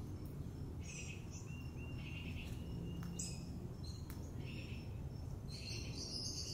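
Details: Two juvenile sandhill cranes, year-round city residents at ease around people, approach to greet the recordist, filmed on an iPhone; high, thin peeping notes come in short bursts every second or so over a steady low rumble of background noise.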